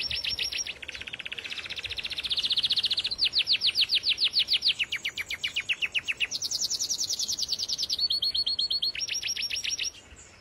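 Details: Song canary bred for its singing ability, delivering a bright high series of rapid repeated trills, each tour of identical notes held for one to three seconds before switching to a new pitch or rhythm, over a faint low background hiss.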